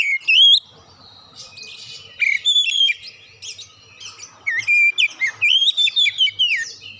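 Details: Oriental magpie-robin song played as a lure for singing birds: a brief loud whistle, a quieter stretch of varied chatter, then a run of bright undulating whistled notes.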